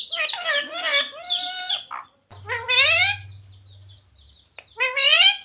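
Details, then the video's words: Pet talking parrot repeating Hindi phrases such as radhe radhe, mithu beta and sita ram: rich, harmonic, voice-like utterances in short bursts with brief silences between, plus a low steady hum partway through. "Talking parrot radhe radhe 🦜 mithu beta 😍 sita ram 🥰 Bolne wala tota"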